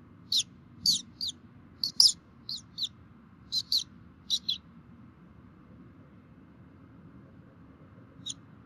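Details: Bald eagles at a Minnesota nest, recorded by a nest camera at 11:48 on 3 May 2016 while both parents fed the young: high, thin chirping notes in a quick irregular series, then a pause and one final chirp.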